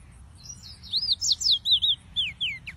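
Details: Short phrase of yellow-fronted canary (Serinus mozambicus) song, a run of clear, high whistled notes sliding up and down, each lasting a fraction of a second, set against a faint low hum.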